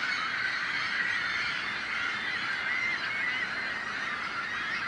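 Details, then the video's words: A gathering of seagulls making a racket to deter predators; constant layered harsh calls and squeals blending into one loud, even din. "The Sound of Seagulls | Why Are Seagulls So Noisy?"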